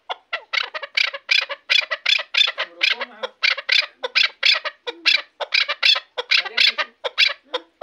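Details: Hunting chukar partridge of Shahritus, Tajikistan, giving a continuous rhythmic series of loud, harsh chuck-chuk notes, several per second, with faint low sounds in the background.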